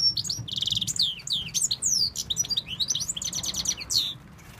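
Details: Male European goldfinch from Tunisia, prompted by a man telling it to call its female, pours out a continuous twittering song of buzzy trills, rapid chirps and sweeping slurred notes.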